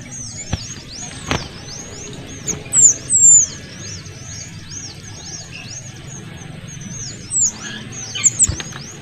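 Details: Small minivet, a noisy mix of male and female calls used as a model song for oriental magpie-robins: continuous thin, very high swept whistles with a few louder shrill bursts and occasional sharp clicks.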